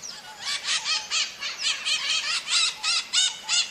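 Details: Maritaca parakeets calling in nature: a steady series of around twelve coarse, nasal screeches at roughly three per second, some overlapping in a lively flock chorus.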